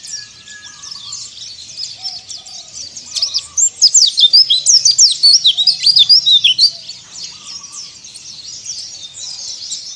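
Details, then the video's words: White-eye ngalas song meant to rouse rival birds: faint high twittering building into a loud, rapid burst of piercing chirps, then easing back to quieter continuous chatter. "PLECI DAKBAL NGALAS STANDART"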